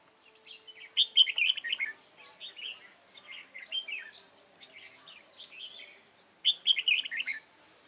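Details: Red-whiskered bulbul song during trapping with a lure bird, recorded 29 June 2018: quick warbled phrases in loud bursts at the start and end, softer chattering notes between.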